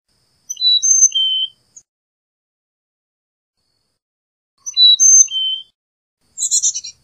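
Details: Carolina chickadee song: pure high whistled notes stepping down in pitch in a four-note phrase, given twice, followed by a brief buzzy burst of chips at the end.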